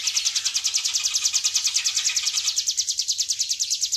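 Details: Hill prinia delivering rapid 'ngebren' song, meant as a training master for other birds. Sharp, high, even notes repeat quickly and regularly, about three and a half per second, with nothing else prominent.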